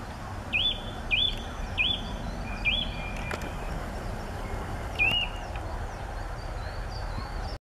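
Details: A Eurasian nuthatch at Lago de Sanabria, Spain, on 22 September 2013 gives five loud, sharp rising whistles, four in quick succession then one after a pause, over a steady rushing background.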